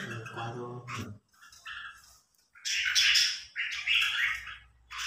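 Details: Newly acquired red-whiskered bulbul in training, pitted against a top-ranked provincial bulbul, giving loud bursts of harsh, chattering song notes in the second half, after a man's brief speech at the start.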